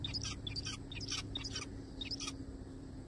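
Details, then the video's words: Zebra finches in a forest chatter with rapid runs of short nasal notes and bright pips, bunched in quick clusters for over two seconds before falling quiet, low hum throughout. "zebra finches sounds"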